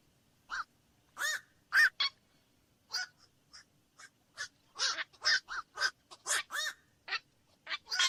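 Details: A black-crowned night heron group calling with harsh, croaking barks. Sparse notes at first build into a steady, chattering sequence of rough calls from several birds.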